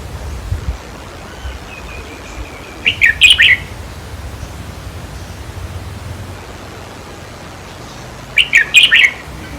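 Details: Red-whiskered bulbul singing in a decoy-trapping setting, played to rouse caged birds: two short, punchy phrases of several rapid chirps about five and a half seconds apart, with light hiss between.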